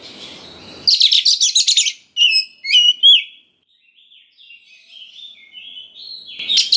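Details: Young forest white-rumped shama song used to provoke other birds into answering: a burst of rapid buzzy rattling notes, then loud whistled upward slurs and a soft warbling run of thin notes, ending with another harsh burst.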